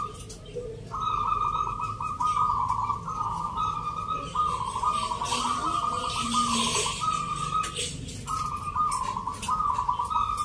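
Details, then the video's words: Zebra doves compete at a Yogyakarta singing contest judged on Nglagu Ngepat Mentaraman rhythm, held on Sunday 19 November. Continuous pulsed, bubbling coo phrases from several birds overlap and break off briefly near the end. Muffled crowd sounds are audible. "Pertarungan sengit Perkutut lokal irama 😱Suaranya ngerih"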